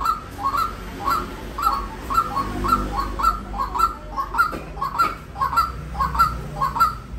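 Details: Rapid series of short, hoarse ringing calls from a white-breasted waterhen, sometimes doubled, about two per second over a low hum.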